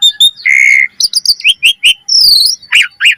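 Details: Asian pied starling singing energetically with full variation, used as a training lure: a long flat whistle, then quick paired chirps, a falling high whistle and harsh rasping notes at the end.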